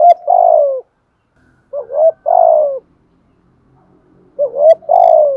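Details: ["Spotted dove used as a decoy, cooing in the driving 'thúc gù' manner: three evenly loud phrases about two seconds apart, each a quick upswept note leading into a drawn-out, gently falling coo."]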